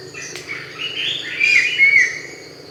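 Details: Brown-winged Kingfisher of intact Andaman coast mangroves, protected in Thailand, calling: a run of wavering notes that builds into two loud, clear whistled notes with rough edges, over a faint continuous high tone.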